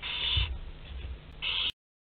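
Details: Barn owls in a nest box at Théding, France, 27 April 2021, prey present: two harsh hisses, each about half a second, with a quiet gap and a thump between.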